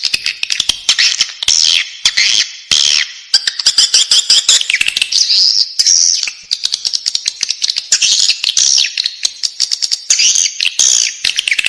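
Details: Swiftlet chicks inside their nest give harsh, buzzy, high-pitched rasps in quick overlapping bursts, mixed with rapid sharp clicks and short silent breaks.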